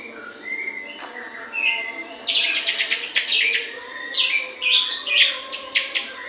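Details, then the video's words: White-rumped shama song, played as a morning and afternoon lure to prompt other shamas to sing; faint whistles, then bursts of sharp, high, chattering notes and quick sweeping whistles in clusters. "Pancingan murai batu untuk pagi dan sore hari"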